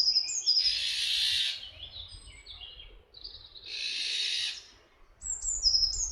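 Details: Iberian Eurasian jay (Garrulus glandarius fasciatus) at Camorritos, Cercedilla near Madrid, Spain. Two hoarse, broad, tearing screeches about three seconds apart, while other small birds add quick high tinkling chirps around them.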